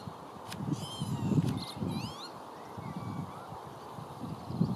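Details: Canada goose with goslings at Rainton Meadows Nature Reserve, Tyne & Wear: the adult gives low, soft grunting calls, with thin high peeping from the goslings.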